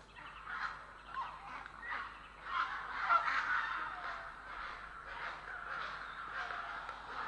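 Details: Grey herons in Estonia on 3 April 2017 give a continuous mass of harsh, overlapping croaking calls, several voices at once with loudness rising and falling throughout.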